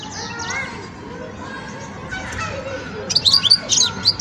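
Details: Young European goldfinch in song-learning phase; after three seconds of low background murmur, a lively burst of sharp, high, chattering twitters breaks in and continues to the end.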